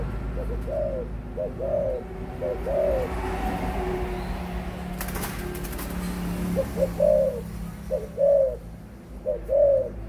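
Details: Adult spotted dove aged 18 months giving low paired coos at the start and end, separated by a burst of clattering noise in the middle.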